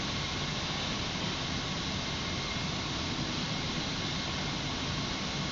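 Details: Steady broadband rumble and hiss, like engine or traffic noise, fills the whole recording with no animal calls heard.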